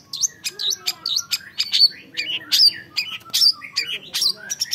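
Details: Young long-tailed shrike, a caged songbird, giving a lively chatter of looping whistled notes and sharp chips in varied, uneven phrases over a faint low background hum.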